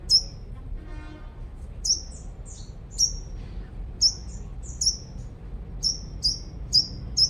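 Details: Five-coloured sunbird singing as a lure in Long Thành, Đồng Nai, Vietnam: about ten very high, sharp tsip notes, spaced roughly a second apart then quickening toward the end, over steady low background noise.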